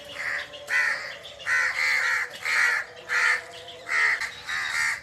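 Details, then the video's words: Birds in a forest giving loud, coarse calls, about seven drawn-out raspy notes spaced roughly half a second apart, with a low steady hum behind. "the original sound of birds under the forest"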